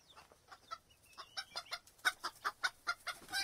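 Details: Chicken clucks building from soft to louder, rhythmic notes about five per second, over a hissy background with a faint rising whistle-like sound early on.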